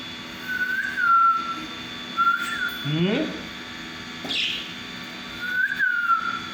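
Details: Two parakeets playing in a house give three short, falling mid-pitched whistles about every two seconds, with a harsher rising chirp and a brief high squeak between, over a faint steady electrical hum.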